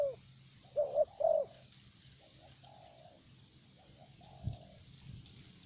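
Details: Spotted dove, thổ bầu type, used as a luring decoy in Vietnam: two clear coos early on, then softer, fading drawn notes, with a brief low knock and a constant low hum.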